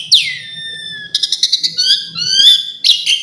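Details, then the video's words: Asian pied starling in varied fill-in song: a long falling whistle, then a quick rattling series and drawn-out wavering whistles, ending with a harsh burst. "Kicau jalak suren full isian pariasi"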